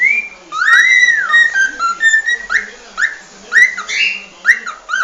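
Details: Cockatiels give whistled song: a long rising-then-falling swoop, several short level whistles, then quick upward-sweeping notes repeated about every half second, over a steady background hiss.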